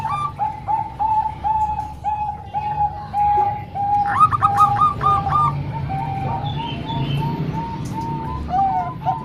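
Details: Zebra doves, three Bangkok-type and one local bird singing together as training material for young doves. Steady string of rounded coo notes about twice a second, interrupted midway by a rapid burst of higher bubbling notes.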